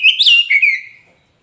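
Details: Oriental magpie-robin, a young kacer poci, its song used as a lure to prompt a silent caged bird to sing and answer back; one short whistled phrase, clear and rising then sliding down, fading out within a second.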